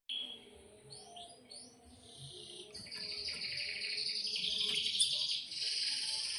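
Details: Canary singing energetically in long-roll style, a little distant behind steady background hiss. Short rising notes give way to bright, sustained, shimmering high trills.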